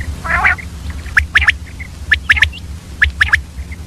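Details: Female common quail at dawn: a grating buzzy burst opens, followed by quick pairs of sharp, high chips roughly every half second against a low steady hum.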